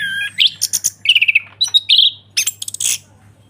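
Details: Chestnut-capped thrush singing the open ngeplong style, kept as a lure to get other birds singing: varied mix of whistles, harsh high rasps, a fast trilled run and a short clear whistled note, with a faint steady hum behind.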